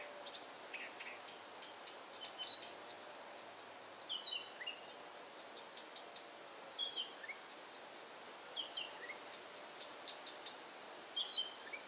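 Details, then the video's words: Acrocephalus dumetorum, Blyth's reed warbler, giving spaced bursts of high twittering notes and slurred whistles, separated by short pauses of one to two seconds, with soft constant background hiss. "Песня Садовой Камышовки. Голос Камышовки"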